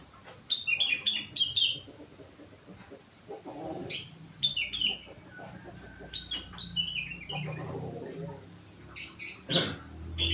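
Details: Four-month-old sooty-headed bulbul singing vigorously, filled with rengganis and cucak wilis song: quick repeated whistled notes, several short falling phrases and sharp chips over a noisy low rumbling background.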